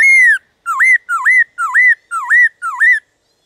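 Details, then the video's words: A long descending whistle, then five hooked, upswept notes in steady rhythm: Black-throated laughingthrush song in 'déo bổi' style, played to fire up other laughingthrushes so they sing. "Khướu Hót DÉO BỔI - GỌI BỔI kích thích bổi hót/kích thích khướu bổi căng lửa"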